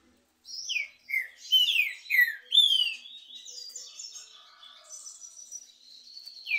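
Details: Green-winged saltator (trinca-ferro), one of two birds in a singing contest, delivering a run of clear downslurred whistles about half a second apart, followed by softer, thinner twittering phrases and a final falling whistle.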